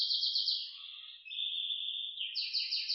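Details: A canary sings softly, with rapid wavering warbles sliding into a smooth sustained whistle, then quick rolling notes again.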